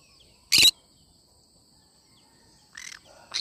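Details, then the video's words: Cinnamon green-cheeked conure: one loud, abrupt, raspy screech, then silence and two softer, shorter squawks near the end over a constant high-pitched hum. "Chinnamon conure sound : What do you think about the sound of this bird? conure bird sound."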